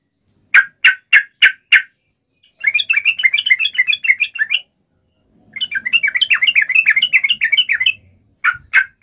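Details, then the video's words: Yellow-vented bulbul in lively, vigorous song, used as a lure to call a rival and provoke an immediate reply: five sharp separate notes open, followed by two long runs of bubbly, rapid chattering phrases, with two more sharp notes at the end. "trucukan gacor MEMANGGIL LAWAN ampuh JADIKAN burung trucuk gacor NYAUT SEKETIKA"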